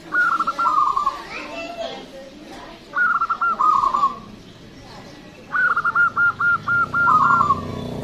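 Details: Perkutut, a local zebra dove, singing a loud lure song: three phrases of quick, clipped cooing notes. The last phrase is longest, about seven even pulses trailing off, and soft background chatter fills the pauses.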